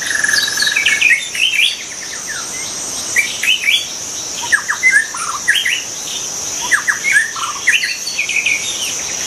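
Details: Wild white-rumped shama delivering varied chattering and whistled notes in short clusters, some sharp and clipped, with a continuous high insect hum behind.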